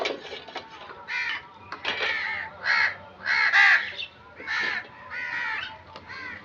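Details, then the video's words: Crow calling with a series of harsh, grating caws, roughly one every second, each a broad noisy burst; a busy background murmur runs underneath. "Crow Sound"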